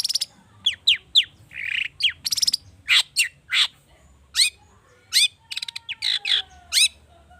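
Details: Agitated long-tailed shrike singing a lure full of rich mimicked fill to spur other birds to sing. Downslurred whistles, a buzzy note, rasping bursts and quick chirp trills mix in a varied, irregular sequence.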